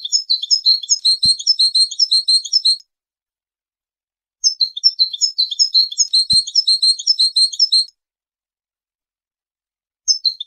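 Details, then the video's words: Song of a European goldfinch for tutoring young birds for singing contests: two long bursts of rapid, high, tinkling twitters separated by silence, a brief third phrase starting at the end, and a faint click in each burst. "شريط تغريد ويداني للفوز بمسابقات التغريد وتلقين صغار الحسون و الهجين"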